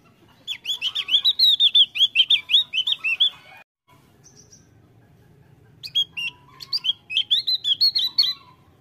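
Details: Javan grey-throated white-eye in lively voice, pouring out rapid high chirping notes for over three seconds, then after a brief silence resuming with another run of twisting, bright chirps.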